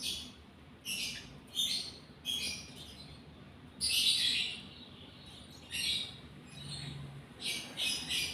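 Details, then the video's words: Lovebird in breeding condition making irregular bursts of shrill, grating chirps separated by brief pauses, with a faint low hum underneath. "Love Bird GARA Birahi Bunyi"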